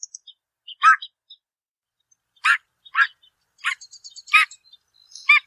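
Pied-billed Grebe giving short, hoarse clucking notes, singly and in pairs, spaced irregularly about every half-second to second, with faint thin chirps between.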